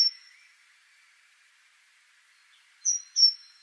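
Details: Great tit (Parus major): a single high whistle fades at the start, then near the end comes a pair of sharp, high whistled notes close together over a low hiss.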